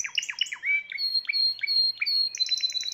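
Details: Belgian canary song; described as a Timbrado canary, the seventh of the owner's 2020 birds, singing a rapid run of bright trills and chirps with sustained high whistled notes overlapping quick descending phrases.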